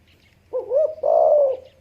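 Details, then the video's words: Spotted dove giving a single two-part coo: a short rising note followed by a longer, steady, mellow hoot around the same low pitch, with a quiet background. "spotted dove sound"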